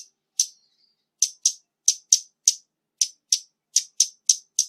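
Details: Scarlet-backed flowerpecker recorded with background noise removed. Dry, sharp, high ticking notes, single or in close pairs, sound at irregular intervals of roughly a quarter to half a second, with one faint thin trailing note early on and silence between.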